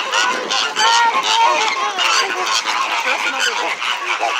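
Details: Many flamingos at SeaWorld, noisy but tame, keep up a steady clamour of raspy goose-like honks, with some higher, drawn-out notes rising above the crowd.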